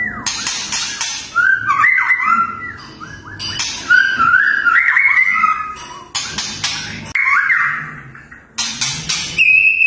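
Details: Murai batu, the white-rumped shama, in fierce tembakan song: repeated bouts of hard noisy bursts, each followed by bright, fast warbled whistles, ending on a steady high whistle.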